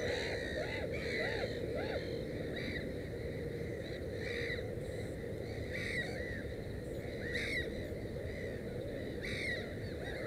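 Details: Black-headed gull at its nest with three chicks, giving short repeated calls with arching, slightly nasal notes every second or so over steady low background rumble.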